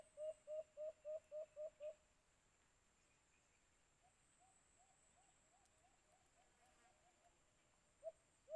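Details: White-eared brown dove, locally called alimokun, recorded during bird trapping with a cage trap: seven short, evenly spaced low hoots in quick succession, then a faint distant run of similar notes and two final louder hoots.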